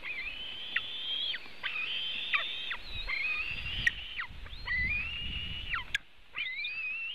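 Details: White-tailed eagle eaglets at a nest in Latvia, watched by webcam during an afternoon feeding on 24 June 2018: long, thin, high whistles, held level and then snapping sharply downward, repeated in a steady series over a low rumble.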